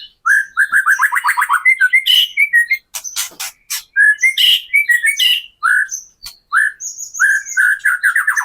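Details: Captive white-rumped shama delivering kretekan as a lure to make other shamas sing and unload their repertoire; rapid whistled trills, loud crackling bursts, sweet slurred phrases and a thin high whistled series.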